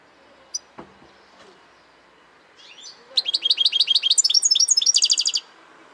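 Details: Goldfinch song starting after a few quiet clicks: a brief rustle, then a bright, rapid series of high twittered notes that speeds into a dense, buzzy trill before stopping.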